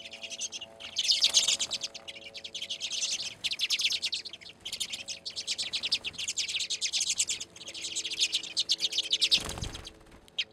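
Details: Wintering redpolls at a full bird seed feeder in Anchorage, Alaska, filmed in February. Continuous high twittering with fast zapping rattles and trills that rise and fall in waves, ending with a brief low thump.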